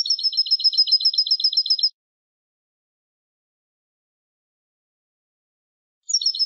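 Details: European goldfinch of the Malaga classic ancestral style, on a recording for teaching young birds to sing: a fast run of about 14 bright twittering notes over two seconds, then silence before a new phrase starts.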